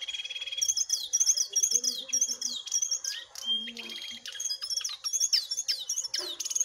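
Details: Singing contest between a wild jongkangan and a caged one: a bright whistled phrase falling at its end repeats rapidly about ten times over a steady high tone, with occasional low chatter.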